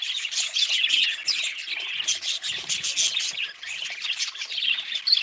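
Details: Several budgerigars keep up nonstop high twittering, short scratchy chirps and warbles layered densely, rising and falling slightly in loudness over five seconds.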